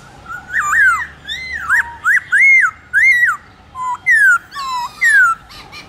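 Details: Captive Black-throated laughingthrush singing in the morning in a wild voice, meant to spur other birds to sing: bold, ringing whistles, each an upward then downward sweep, delivered in quick separate bursts.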